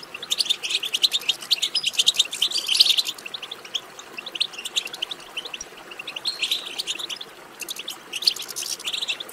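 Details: European goldfinch chattering twitter used to excite a goldfinch into singing: rapid, high, overlapping notes in surging bursts, with a quieter stretch in the middle.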